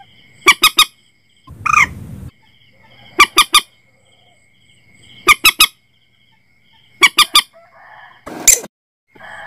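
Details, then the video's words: Common moorhen calls, used when setting nets at night: harsh, abrupt notes in tight triplets, repeated every couple of seconds, with a few noisy rasping bursts between them and a constant high-pitched whine underneath. "suara burung mandar batu"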